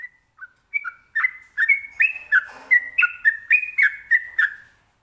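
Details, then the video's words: Sooty-headed bulbul singing in the prized 'ropelan' style: a lively string of about fifteen bright whistled notes in quick succession, alternating between higher and lower pitches over four seconds. "Trucukan ropelan"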